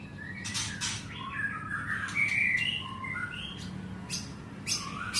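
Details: White-rumped shama, called murai batu, singing in a rural setting: varied whistled phrases and sliding notes in short bursts, with scattered sharp chirps and a steady low hum underneath.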